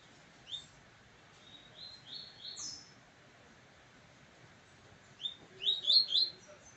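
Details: A pet male Double-collared seedeater of the Coleiro Pardo type, singing face to face with another Pardo, gives bright, high, slurred notes in short bursts: a quick run of falling whistles, then sharper twittering phrases.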